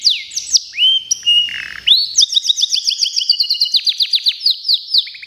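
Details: Local canary for a singing contest: sweeping notes, a brief low buzz, then an extended rolling trill of rapid rising strokes at high pitch.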